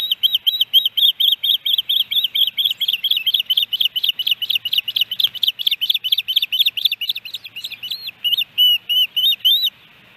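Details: Ospreys at a Hellgate Canyon nest, Missoula, Montana, July 13, 2018, during a three-fish day; a long fast run of piercing whistled chirps, steady for ten seconds, slowing into spaced, lower notes at the end.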